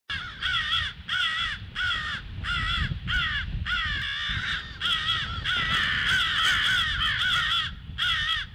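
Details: Crows raising the alarm on 18 February at 08:50 in the morning: harsh, rasping caws with a rich harmonic buzz, repeated in quick bursts about every half second, several birds overlapping toward the end, with low rumbling background noise.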